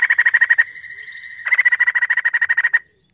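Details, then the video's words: Trilling song of a white-crested laughingthrush, used to coax other birds into song: rapid pulsed notes, a smooth held whistle, then a long run of about twenty even pulses ending in silence. "POKSAY JAMBUL GACOR UNTUK PANCINGAN BUNYI"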